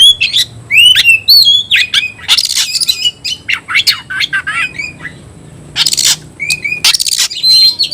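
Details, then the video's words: Loud song of an oriental magpie-robin in the 'tayoraky' variant: rising whistled notes and buzzy trills mixed with several harsh, broad rasping bursts near the end. "kacer rasa tayoraky varian baru‼️bikin suara kicau burung Kacer gacor dan ngotot buka ekor"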